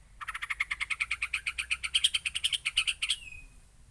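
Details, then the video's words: Aceh white-rumped shama producing a fast, even series of about twenty-five rapid pulsed notes over roughly three seconds, ending in a short downward whistle. "Murai Aceh"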